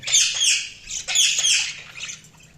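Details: Budgerigar chirping: two loud bursts of harsh, buzzy squawks with whistled overtones, each lasting under a second, then fading chatter.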